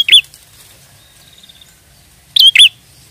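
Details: Prenjak song meant to lure birds for trapping: two bursts of loud paired chirps, one at the start and one near the end, separated by a faint trill and quiet low rumble.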